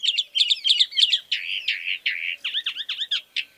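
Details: Rich, rapid mockingbird song, chalk-browed species: bursts of doubled chirps, broad scratchy notes and a quick series of downslurred whistles in close succession.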